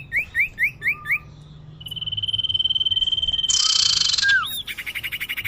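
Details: Common iora lure call used to attract birds: five quick upslurred chirps, a long steady high whistle, then a loud harsh buzzy burst, a downslurred note and a fast rattling trill.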